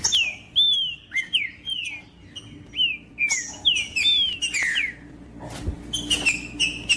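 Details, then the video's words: Green-winged saltator (trinca-ferro) song meant to warm up another bird: strong whistled, downslurred phrases spaced about half a second apart, ending in a burst of higher chattering notes. "TRINCA FERRO CANTANDO PARA ESQUENTAR TRINCA FERRO"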